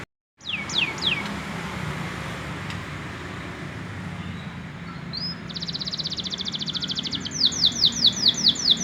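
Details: Young male canary, still learning to sing: a few sweeping downslurred whistles early, a long noisy pause, then a fast buzzy trill and a run of repeated downslurred notes at the end. Steady low background hum throughout.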